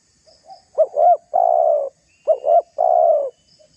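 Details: Spotted dove pressing a rival with its cooing call. Two clear phrases, each a brisk double note leading into a long, steady coo, with a faint soft note at the start.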